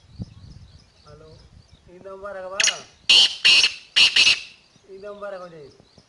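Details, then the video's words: Black francolin calling from the top of a rock: a rapid series of about five loud, harsh, rasping notes, with a human voice heard just before and after the calls. "Kala Teetar Awaaz |Teetar ki Awaz | Black Teetar calling"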